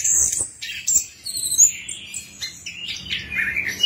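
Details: Orange-headed thrush, also called anis kembang or anis cacing, a songbird of Southeast Asian forests, sung as a lure to make a silent bird sing: rich high whistles, trills and slurred phrases in quick varied succession, with faint low background hum.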